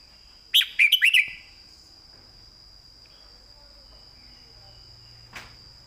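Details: A caged red-whiskered bulbul gives one short, clearly phrased burst of its master song, four or five quick, bright whistled notes, then near silence apart from a steady hum and a single faint click.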